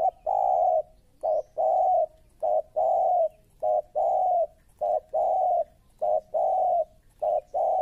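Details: Spotted dove used as a trapping lure bird, cooing in a steady run of alternating short and long level notes, loud and close, with little background noise.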